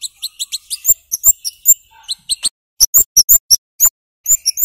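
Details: Flowerpecker (cabean or kemade) giving sharp 'cit' calls, played to coax young birds into singing: quick lower twitter at first, then bright, very high chips spaced irregularly, some paired.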